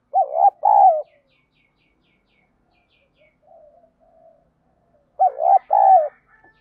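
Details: Spotted dove giọng đồng song used to provoke fighting and prompt decoy doves to coo; two coo phrases five seconds apart, each a rising stutter then a longer falling note, with low soft murmuring in between.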